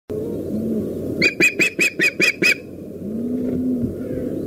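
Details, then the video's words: Female osprey at a nest in the Dyfi valley, Wales, briefly changing the tone of her call. A quick run of seven sharp, evenly spaced whistled notes over a steady low hum and murmur. "FS changes her tone for a moment then back to normal"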